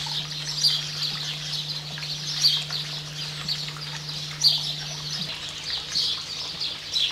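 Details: Variable oystercatcher with a chick, New Zealand: short, sharp high calls repeated about every second or two, fairly faint, over a steady low electrical hum and background hiss.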